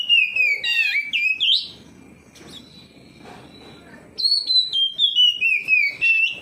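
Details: Oriental magpie-robin in full song replying to another magpie-robin: twisting whistled phrases and chatter, a quiet gap of about two seconds, then a string of bright whistles stepping downward.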